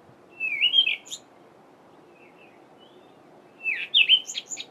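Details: Cape robin-chat singing in a garden at dawn in mid-winter July, two short phrases of sliding whistled notes around mid-high pitch, each ending in a quick flourish of higher chips, separated by a pause of about two seconds.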